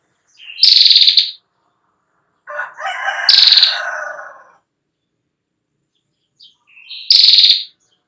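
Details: Three buzzy, pulsed trills from a female ashy prinia, separated by silence. A broad, harsh crowing-like noise overlaps the middle trill. The song is meant for tutoring young prinias.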